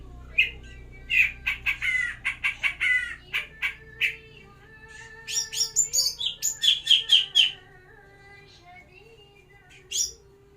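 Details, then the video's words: Greater green leafbird being paired for captive breeding. A string of about a dozen sharp chirps, then a quick burst of brighter, higher notes and one last chirp, over a steady low hum. "Proses penjodohan Cucak Ijo"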